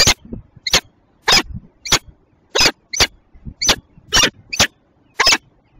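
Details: Tilburg Westpoint peregrine falcon, Belgian female, 27 June 2024, 08:08; a steady series of about ten harsh, rasping calls roughly every half second, with soft low knocks between.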